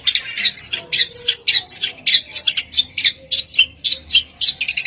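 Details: Bird producing besetan song: dense, rapid, high chattering notes in an uneven rhythm, with a faint low hum in the background.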